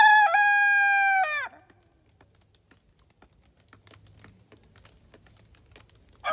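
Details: Crow of an Araucana rooster in snowy farm surroundings: a loud, sustained cock-a-doodle with a short dip at the start, then a sharp break. Faint clicks and taps follow in a quiet background.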